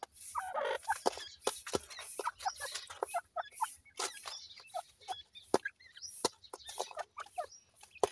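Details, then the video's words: Playing partridge chicks give a busy run of thin, sharp chirps and twitters, some sliding downward, with sharp clicking and tapping noises throughout. "partridge bird chicks playing"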